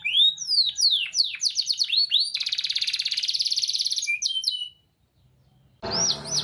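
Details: Caged contest canary singing as a training master for other canaries; fast series of rising and falling sweeps, then a long rapid buzzing trill, a brief pause, and more looping whistles.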